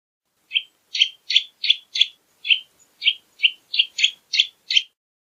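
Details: Eurasian nutcracker giving a series of about twelve harsh, rasping notes, each short and grating, spaced roughly a third of a second apart after a brief silence, with no other sounds.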